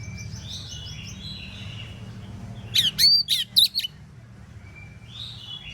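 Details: Singing Oriental magpie-robin in the morning, its song prompting other magpie-robins to respond; one loud one-second burst of sharp, bending whistles and chips amid faint distant chirping.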